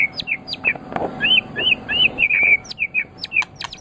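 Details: White-rumped shama song for training other songbirds: arched whistled notes repeated in quick succession, with sharp high chips and clicks between them.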